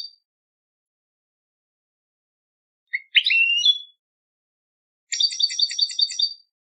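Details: European goldfinch competition singing: after a tiny opening note and a pause comes a buzzy, sliding phrase, then a quick series of sharp, repeated metallic chirps lasting over a second. No other sounds.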